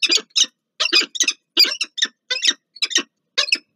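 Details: Peregrine falcons, a pair meeting at the Palace of Culture and Science in Warsaw, Poland, 30 August 2024; hoarse, scratchy chittering notes given in fast paired bursts, loud and close, with no other sounds.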